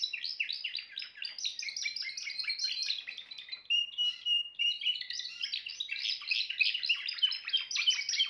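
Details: Timbrado canary singing rapid rolling trills, breaking midway into a few drawn-out steady whistled notes before returning to fast bubbling phrases.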